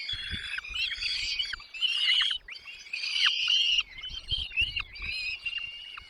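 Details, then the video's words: Nest chicks fed by their mother and father, producing a steady stream of thin, high, wavering begging cheeps and short downward-dropping notes, rising and falling in loudness. "mom dad birds brings food to feed their chicks in the nest"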